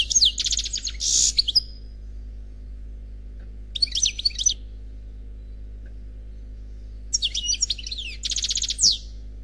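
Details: Khalwi-style song from an unpaired European goldfinch: three separate bursts of high, tinkling twitters and quick trills, split by silent pauses of a few seconds, over a faint constant low hum.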